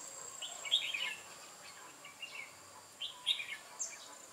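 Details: Red-whiskered bulbul, a decoy singing during trapping of lively wild birds on 8 October 2017: short bright warbled phrases in bursts about every one to two seconds, with a faint steady high hum behind.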